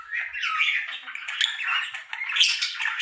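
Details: Indoor pet budgerigar, male, performing his happy daily song: nonstop scratchy chatter mixing squawks, clicks and short whistled chirps, steady in volume with a brief dip near two seconds.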